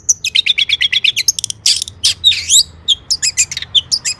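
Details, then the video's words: Energetic long-tailed shrike song, rich in imitated phrases, used to stir other shrikes: rapid chattering chips, then raspy drawn-out notes and scattered sharp whistles. "Kicau cendet gacor FULL MATERI MEWAH,, BUAT PANCINGAN CENDET AGAR BUNYI jadikan BURUNG PENTET GACOR"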